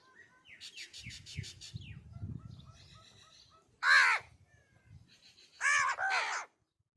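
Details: Crow calling, played to attract crows: two harsh, loud, rasping caws late in the clip, each about half a second long. Thin chirps from small birds come earlier, over a low rumbling background.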